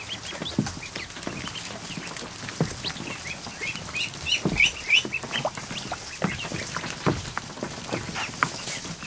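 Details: Over a hundred newly hatched ducklings in a kiddie pool in a barn on an afternoon. A chorus of high, short peeps rises and falls in quick overlapping bursts, with splashing, knocks and scuffling underneath.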